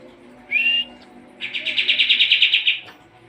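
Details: Sooty-headed bulbul in training song for competition birds: a brief rising whistle followed by a fast trill of about a dozen chattering notes.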